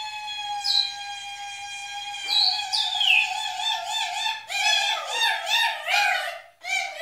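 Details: Four captive grey parrots give a long, steady, reedy whistle lasting several seconds, broken by swooping slides, then quick, wavering warbled whistles, ending with a short held tone.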